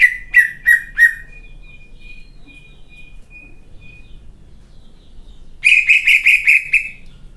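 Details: Competition greater green leafbird giving four loud whistled notes, a long faint level whistle trailing off, a pause, then a quick burst of six bright repeated notes.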